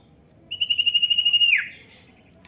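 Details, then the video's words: Common iora call meant to get a young bird singing: a single steady, finely pulsed high whistle lasting about a second before dropping in a quick downward slur, over quiet low hum. "pancing bunyi cipow bahan"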